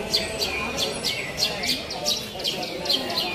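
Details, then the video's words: At a singing contest, a Javan bush lark delivers a steady series of bright, high, down-slurred notes, about three each second, over background chatter from the crowd. "Kontes Kicau Branjangan Super Gacor"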